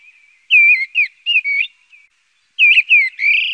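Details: Song of a mistle thrush: two short bursts of rich, whistled, down-slurred notes, four in the first and three in the second, divided by about half a second of near silence, the last note drawn out and rising.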